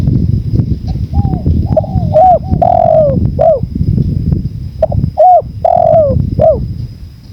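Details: Two spotted dove cooing phrases over steady low wind noise. Each is a quick pair of short coos followed by a long, falling, drawn-out coo and a final short note, very loud and close.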